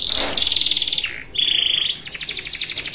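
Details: Canary in cengkok mewah style, a master recording for teaching other birds: high steady whistles broken into rapid buzzing trills, a short low slur, then a fast pulsed trill at the end.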